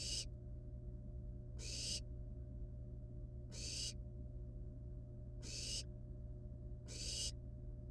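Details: Wild barn owl nestlings at their nest with a live rat; five rasping, hissing screeches repeated about every one and a half to two seconds above a continuous low hum.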